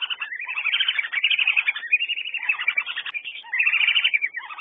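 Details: Several whistling ducks keep up loud, overlapping whistles in bursts, with short sliding and twittering notes packed together and brief gaps between the noisier stretches.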